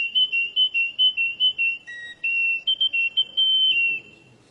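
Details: Canary singing: a string of short, clear, whistled notes repeated quickly, then a lower held tone, then more bright whistles and a long sustained note fading out, over a faint background hum.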